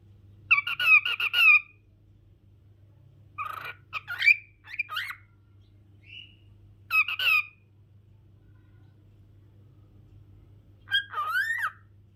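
A cockatiel chatters in short, squeaky bursts of mimicked speech with raspy, warbling notes.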